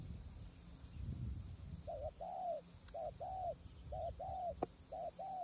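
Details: Spotted dove heard while trapping with a tent snare in strong wind. After a windy pause, four paired coos follow at roughly one-second spacing, a short note leading a longer rounded one, with faint clicks.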